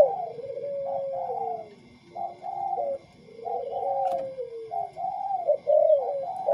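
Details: Tame spotted doves (tekukur), one white and one local wild-coloured bird, cooing: soft, low hooting phrases of several notes, each ending in a long falling coo, repeated about every two seconds, with faint room noise.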